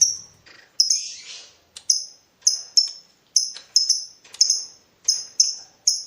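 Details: Lovebird in breeding mood calling to provoke a rival: sharp, piercing high chirps, often doubled, repeated every half second or so, with short echoing tails and faint low rustling.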